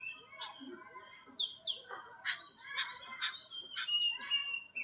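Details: Jungle babblers calling; harsh, squeaky chattering notes repeated about every half second, with thin slurred whistles between them.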